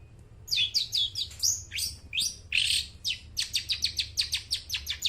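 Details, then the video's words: Long-tailed shrike singing, recorded as a lure for mute shrikes: quick chattering bursts of high chirps, a harsher buzzy note near the middle, then a rapid even series of sharp tweets. "suara burung cendet gacor suara plong cocok buat pancingan burung cendet bisu"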